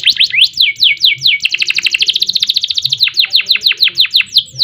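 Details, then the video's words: Canary in long gacor song with ngerek and ngerol phrases, for tutoring and prompting birds: a few slurred downward whistles, then a quick rattling trill of rapid notes, then slower falling whistles again. "Kenari Gacor Panjang Ngerek Ngerol Nembak Mantap Buat Masteran dan Pancingan | Bird Singing"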